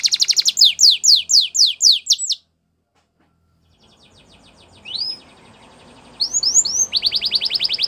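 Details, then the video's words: Singing Belgian canary: a rhythmic series of descending slurred notes, a pause with faint background hiss, a few rising whistles, then a rapid high trill that starts up again. "Belgian Canary Song"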